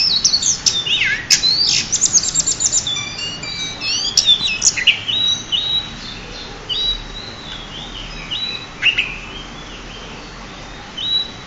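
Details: Pied bushchat champion singing for use as a master: a rapid tumble of high sweeping whistles and sharp chips for the first five seconds, then sparser flat whistled notes trailing off.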